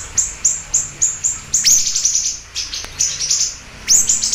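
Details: Siri-siri bird repeating high, thin chirps at an even pace of about three or four per second, then a denser twittering burst and a brief pause before the chirps resume.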